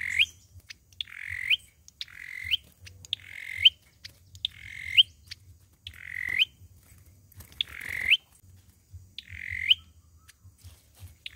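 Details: Fighting song of an Olive-backed sunbird, used as a trapping lure: a steady series of buzzy rasping phrases, each closing with a quick high upslur, repeated about once a second over a low hum.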